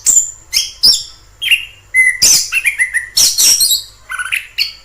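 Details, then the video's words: Orange-headed thrush singing in the wild: varied loud phrases of clear whistles and harsh sweeping notes, some dropping steeply from high to low, broken by short pauses. "Suara asli anis kembang di alam liar"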